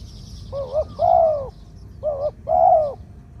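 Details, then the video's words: Spotted dove, a bird suited to use as a ground decoy, singing its 'two kuk, khu-ang' style with a medium-pitched voice: a short wavering coo and a longer arched coo, repeated twice over a faint low rumble. "2 กุก คูอ่าง คารม เสียงกลาง ตัวนี้น่าเก็บทำนกต่อครับ นกเขาใหญ่ต่อดิน เสียงนกเขาใหญ่"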